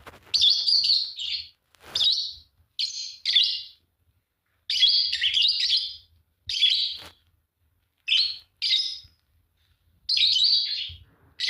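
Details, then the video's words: Chirping from a pair of green Fischer's lovebirds: irregular clusters of piercing, buzzy squeaks and shrill twitters, each lasting under a second, separated by brief silences. "Lovebird singing and chirping sound, green fischer pair"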